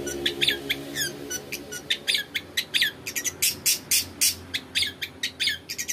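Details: {'caption': "Long-tailed shrike in dense 'isian' song for luring other shrikes: rapid, overlapping chirps, squeaky whistles and harsh notes, a near-continuous busy chatter over a low hum."}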